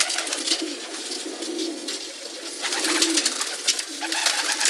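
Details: Low, rolling coos from many pigeons blend into a continuous murmur, swelling slightly near the end, amid busy clicking and rustling of birds moving about.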